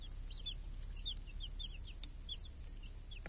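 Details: Village chickens and chicks feeding under a protective cage on a clear summer day, chicks hunting flies; a busy stream of short, high, downward-curving peeps from several birds, with faint clicks and a low outdoor hum.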